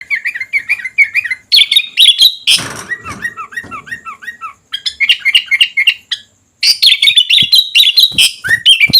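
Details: Sooty-headed bulbul, or kutilang, singing in full voice: dense, rapid bursts of bright chirps and short rising whistles, with a brief rushing noise burst midway and a short pause near the end.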